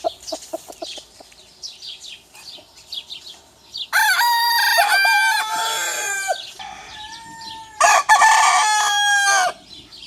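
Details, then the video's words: Rooster of one of several breeds crowing: after soft scattered clucks and chirps, two long, loud, harmonic crows, the first about two and a half seconds and falling at its end, the second shorter. "Top 10 Best Rooster Crowing Sound Effects Compilation"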